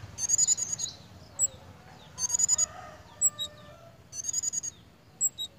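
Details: Pied fantail in breeding condition, with lively behaviour. Rapid bursts of six to eight sharp, high squeaky notes come roughly every two seconds, with single thin high chips between them over a soft low background hum.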